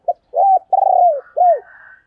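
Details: Female spotted dove, 'thổ đồng' voice style, call used to draw in wild males: a short note and then three low, hollow coos, the last one arched, with a faint higher trailing note after them.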